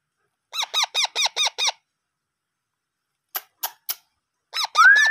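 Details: Parrot chicks being hand-fed indoors, giving a rapid run of arched, harmonic begging squeaks about four per second, then a few sharp clicks and another burst of begging with a steady whistle rising over it.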